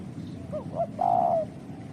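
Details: Spotted dove call: faint short rising and falling notes lead into one loud, sustained coo that slides downward, over a steady low background hum.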